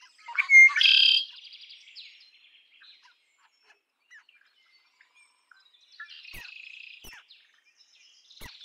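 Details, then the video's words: Red-winged blackbird singing: a few sharp introductory notes, then a loud buzzy trill lasting about half a second. After a pause a second, softer buzzy trill follows, with faint clicks near the end. "Red winged blackbird Sound"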